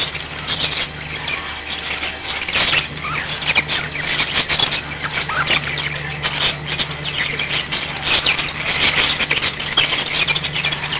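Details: Pet budgerigars, a flock of five, chatter loudly in long bursts of scratchy warbles and squawky chirps, a few sharp clicks standing out, with low hum underneath.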